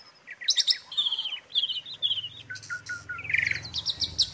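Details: Asian pied starling singing for use as a tutor recording: clear whistled notes, repeated downslurred phrases and a rasping buzzy burst, over a faint low hum in the background.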